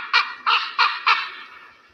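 An eagle gives four harsh, nasal yelping notes about three per second, each ringing out with a slight echo that trails away.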